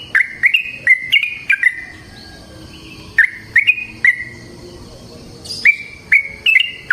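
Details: Yellow-vented bulbul in the wild giving short clusters of bright, slurred, bubbly notes in energetic long-song style, separated by silent gaps of one to two seconds.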